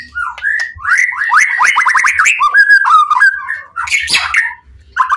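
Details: White-rumped shama in full excitement, singing to provoke other shamas into answering: rapid run of loud whistled notes and slurred upswept phrases, a harsh buzzy burst near the end, then a short rising whistle.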